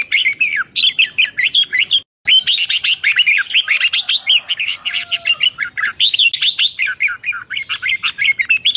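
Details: Red-whiskered bulbul in full excited song in 2023, delivering fast, tumbling whistled and chirping phrases nearly nonstop, broken by one short silence near the start.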